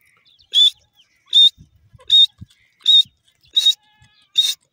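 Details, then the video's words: Shrill, harsh notes from a grey francolin, six loud calls evenly spaced under a second apart, each a brief ringing burst; faint low knocks between calls. "teeter bird sound,grey francolin bird awaz"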